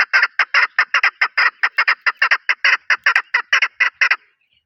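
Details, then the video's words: Chukar partridge, named as Pakistan's national bird, giving a loud series of harsh clucking notes at about two to three per second, each note bursting strongly over a broad range, ending abruptly after four seconds; no other sounds. "Chokor Partridge voice | Chokor ki awaz"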